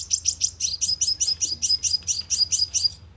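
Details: Sunbird calling as a lure for a loudspeaker trap: a steady, evenly spaced series of high, sharp tweets, about five every second.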